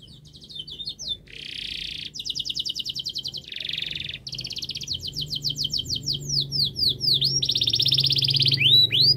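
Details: Canary song used as a master recording to prompt silent or lazy canaries to sing: rapid trilled tours alternating with buzzy rolls and rising whistled sweeps, high-pitched and continuous, with a faint low hum beneath.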